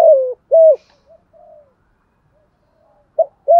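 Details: Morning cooing of a lure spotted dove used to draw in wild doves; a long coo and a short one, faint quiet notes, a pause, then two more low coos starting again.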